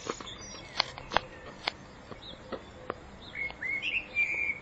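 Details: Spring song of a common blackbird, recorded in 2014: a few sharp ticking clicks, then a clear mellow fluted phrase of sliding whistled notes in the last second, over faint outdoor hiss.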